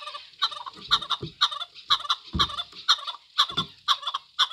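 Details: Rhythmic, regular chukar calls: doubled clucking notes repeated about twice a second throughout, with soft low thumps underneath.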